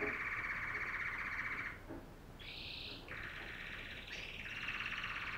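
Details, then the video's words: A female canary sings a long, loud buzzy trill, pauses briefly, then delivers a higher short rattle followed by further sustained rolling trills at shifting pitch, with a low background hum. "канарейки // пение самки"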